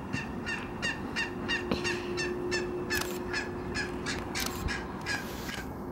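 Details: Eurasian cranes at the Washington Wetlands Centre: a rapid series of loud, harsh, harmonic-rich calls repeating about three times a second, with some overlapping, over a steady low rumble of background noise.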